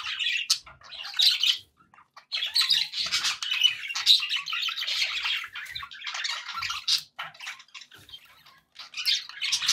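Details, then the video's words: Budgies sounding happy, giving continuous rasping warbles, squeaks and chirps that blend into a busy stream of chatter, pausing briefly near the middle and end. "happy budgie sounds"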